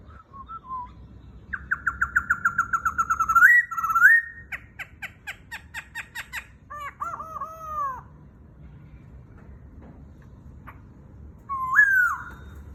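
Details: White-browed laughingthrush singing softly to guide a young bird, in rooster-crow style: a fast train of rapid repeated notes, then clipped staccato notes, a few downslurred phrases, a long quiet gap and a final loud rising whistle.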